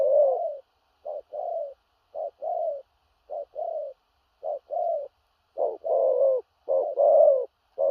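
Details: Spotted dove giving 'thổ rặc' style cooing. Paired low coos, a quick clipped note leading into a longer, slightly descending one, repeating rhythmically. The final phrases grow louder and fuller.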